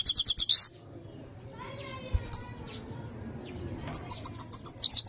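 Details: European goldfinch phrases: a brief fast twitter at the start, a long quiet stretch with a lone high chirp, then a rising series of clear, evenly spaced tinkling notes.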